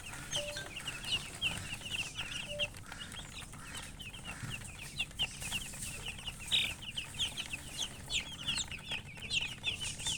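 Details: Baby chicks chirping: many short high peeps overlapping in a busy chorus, repeated rapidly throughout, over a low steady background rumble.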